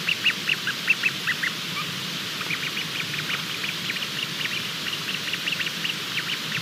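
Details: Bermuda petrel chick calling from inside the egg during hatching, at 23:14 on 28 February 2020: short, high peeps in quick, uneven bursts, two or three a second, over steady hiss.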